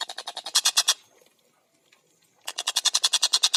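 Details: Tengkek buto (collared kingfisher) with clear, fast-paced gacor chatter: a run of rapid rasping notes that grows louder, a pause of about a second and a half, then another long, quickening series.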